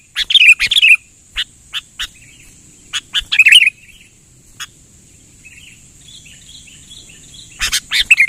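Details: Sooty-headed bulbul lure call, persistent type: short bubbly chirp clusters and single clipped notes separated by pauses, a louder warbling burst at the end, with a soft chattering of other birds in the quiet middle stretch.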